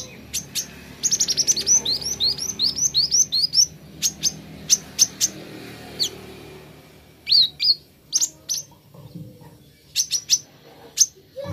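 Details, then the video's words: Plain flowerpecker, a song clip played to get birds singing: very high, thin ticking notes open into a quick run of sharp down-slurred chips, then scattered needle-fine clicks and ticks, against a quiet background. "Kolibri Ninja Cepat Buka Suara"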